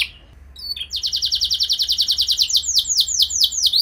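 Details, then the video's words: Canary song used as a lure to prompt other canaries to sing: after a brief quiet start, a long train of rapid, high, downward-sweeping trilled notes, repeated steadily and slowing into broader slurred phrases near the end. "Langsung Gacor Dor Burung Kenari Mana Saja Dengan Pancingan Ini! Pasti Nyaut Ikut Gacor"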